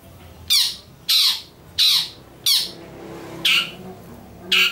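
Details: Long-tailed shrike making a strange call: loud, rasping, descending squawks repeated roughly every two-thirds of a second, six harsh notes separated by brief quiet gaps.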